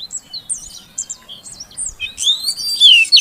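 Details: High chirps from a female Oriental magpie-robin calling a silent male so he will sing. A few spaced, short descending notes are followed by a louder, denser burst of sweeping whistles near the end.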